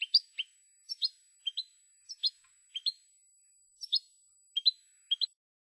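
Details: Spanish European goldfinch on a famous song recording: soft, sparse pairs of sweet chirping notes, repeated about once a second, in a quiet clean setting.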